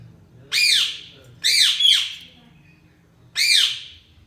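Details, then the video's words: Budgerigar chirping indoors: three loud, harsh, arching squawks, each rising then falling, the first two about a second apart and the third after a longer gap, with a faint low hum underneath. "Budgies Chirping sound"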